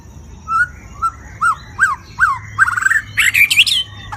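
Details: Caged white-rumped shama singing continuously in varied voice: a series of short slurred whistles, each rising then falling, quickening into a dense, bright warbled flourish, over a faint constant high tone.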